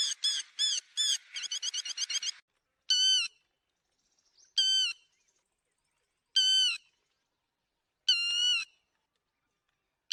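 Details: Lapwing (te te mỏ vàng) netting lure: a few sharp notes and a fast chattering run, followed by separate long ringing calls about every 1.7 seconds, in near silence.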